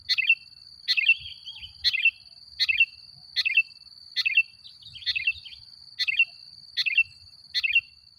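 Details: Sooty-headed bulbul singing vigorously, used as a lure to provoke other bulbuls: short bubbly warbled phrases, each opening with a sharp click, repeated about every 0.9 seconds over a steady high-pitched whine.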